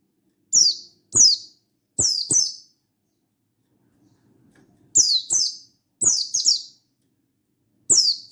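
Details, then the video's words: Buxtoni mountain white-eye dated 16/8/22, calling to a rival so other white-eyes start singing. Crisp, very high down-slurred chirps, mostly paired, with a silent gap of about two seconds midway before the pairs resume. "Burung Buxtoni Gacor Ngalas Memanggil Lawan"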